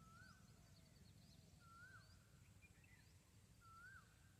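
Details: Female grey francolin calling: three clear, slurred whistled notes, each rising then dipping, about two seconds apart, over steady low background noise with faint higher chirps from other birds.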